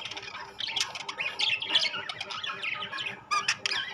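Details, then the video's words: Rainbow and classic budgerigars chatter in dense, scratchy warbles and squawks, a steady run of high, busy notes with a few sharper chirps near the end. "বাজরিগার পাখি"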